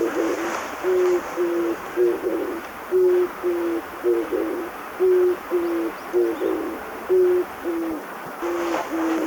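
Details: An Oriental turtle dove sings in spring to early summer, low hoarse cooing phrases of several soft notes repeated steadily throughout, over a faint background hiss.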